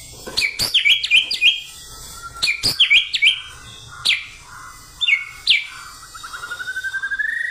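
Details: Captive white-rumped shama singing in a spicy, energetic fighting style: clusters of sharp, high chattering notes with quick slurred whistles, pauses between bursts, ending in a rapid rising trill.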